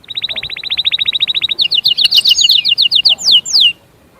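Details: European goldfinch song: a fast train of short, even notes for about a second and a half, then quicker, sharper downward-sweeping notes and a few longer slurred whistles before it stops.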